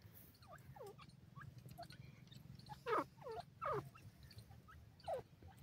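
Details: Grey francolin chicks, known locally as Dakhni Teetar, calling to their parents: thin whistled notes sliding downward, given irregularly, with a few louder, longer descending calls near the middle and end over a steady low hum.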